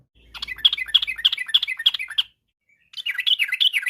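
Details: Yellow-vented bulbul in rapid afternoon song used as a lure for other birds: a two-second burst of lively bubbling, rising-and-falling notes, a brief pause, then another warbled phrase.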